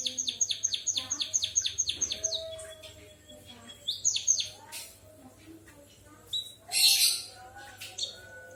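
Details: Canary-imitating song of a white-headed munia. A rapid train of high, downward-sweeping whistles is followed by scattered sweeps, a brief thin whistle and one loud hissing burst.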